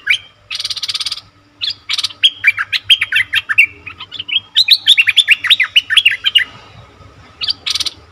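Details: Bulbul lure recording for wild birds: short bursts of rustling noise, then rapid chattering chirps, bouncy up-and-down notes in two long runs, ending with another burst of rustling.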